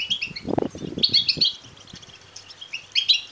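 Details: Goldfinch nestlings begging: short runs of high, bright chirps, opening with a loud low rustling thump and then quieter chatter.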